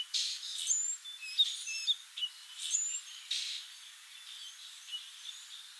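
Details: Foraging song sparrow singing, with rapid buzzy bursts mixed with sharp high whistles and clipped notes, two phrases closely repeated before softer scattered chirps and background hiss.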